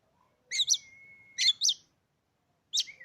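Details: Caged Oriental magpie-robin kept indoors, used to stir other birds to sing: paired harsh, scratchy bursts separated by a long, flat, steady whistle, then a final rasp followed by a short lower whistle.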